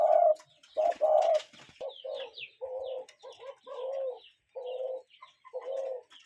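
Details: Real cuckoo heard outdoors in nature, giving steady low cooing notes, some paired, roughly one per second, while small birds chirp thinly above.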